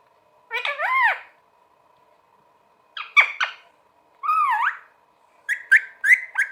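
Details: Talking parrot in a quiet room producing four separated bursts of nasal, bending squawk-like utterances, the last a quick run of clipped syllables, over a faint constant hum.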